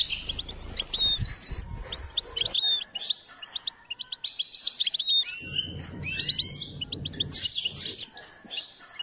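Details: Goldfinch singing during bird training: a fast, continuous, liquid twittering of high tinkling notes, buzzy trills and short whistles in bursts, with brief pauses near three and five seconds and a low background hum at times.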